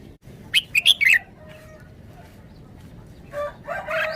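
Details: Red-whiskered bulbul in a cage singing its forest-style song. A quick run of four sharp, bright whistles comes first, followed later by lower, harsher harmonic sounds.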